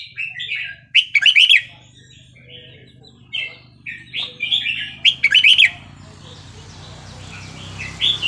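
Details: Red-whiskered bulbul delivering Burmese-style 3-4-5-6 song for teaching young birds: two loud, bubbling phrases of quick slurred whistles amid steady chirping from other birds. Low rumbling noise grows toward the end.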